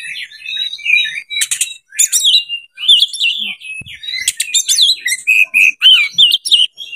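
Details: Breeding-condition Oriental magpie-robin singing to lure other birds: quick chattering and rattling bursts give way to a string of sweet, rising and falling whistles.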